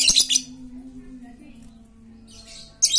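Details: Chatty lovebird used as a lure for silent lovebirds: a quick burst of harsh stuttering screeches at the start, a brief lull with a low hum, then another loud rasp at the end.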